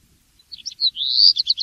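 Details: Singing black redstart: a short high phrase of a few separate chirps running into a sustained rising buzzy note, closed by several quick scratchy notes; faint low rumble underneath.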